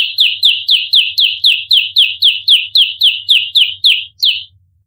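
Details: Bar-winged prinia giving its dense, rapid-fire fighting call: a steady run of about sixteen loud, piercing, downslurred chirps at a regular quick beat, ending abruptly, with faint low hum beneath.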